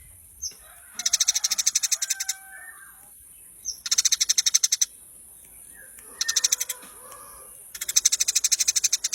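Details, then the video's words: Eurasian tree sparrow, a training (masteran) recording for songbirds: four fast trains of dry, metallic chips, each lasting about a second, with short single notes before some trains and softer lower chirps between them. "masteran handal burung gereja"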